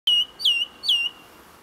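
A song thrush repeats one clear, high whistled phrase three times in quick succession, each note dipping then holding steady; nothing else is heard.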